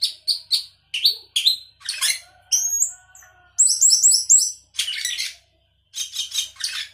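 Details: Sooty-headed bulbul singing a gacor song packed with isian fill-in material: quick bright whistles, buzzy notes and a run of fast looping chirps, delivered in lively bursts.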